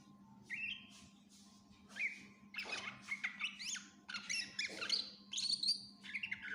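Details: Greater green leafbird singing hard with a rich mix of fills, intended as a model for other cage birds: whistled upslurs, rapid twittering and high squeaky notes that grow busier, over a persistent low hum.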